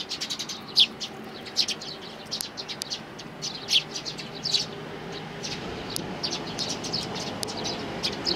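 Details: Sparrows, three nestlings, 12 May 2019: scattered high chirps and short ticking notes, a few standing out sharply, with a soft low rumble in the background.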